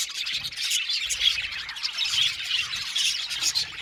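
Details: A colony of Australian budgies in an aviary keeps up a steady stream of high, overlapping chirps and warbles. The chatter is busy and unbroken, with a few faint low knocks underneath.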